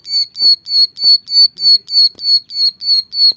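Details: Bar-winged prinia, known locally as ciblek sawah, calling energetically in a tutor recording for training birds: bright, sharp high notes repeated steadily about three times a second, with faint low clicks beneath.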